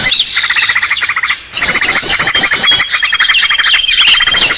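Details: Bird-luring green leafbird noise: a quieter opening of rapid scratchy notes, then after a short lull a loud burst of dense chatter, curling whistles and a long even whistle.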